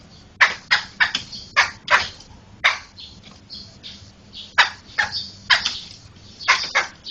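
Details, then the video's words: Laughingthrush chatter used as tutor audio for training other songbirds: repeated loud, harsh, scratchy bursts in irregular clusters, some doubled, with softer scratchy notes between and brief pauses. "Ocehan Burung Poksay"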